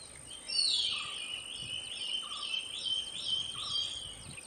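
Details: Silver-breasted broadbill, Bogor, giving a high, rapid, trilling series of notes that runs on for about four seconds, over a steady thin electronic whine.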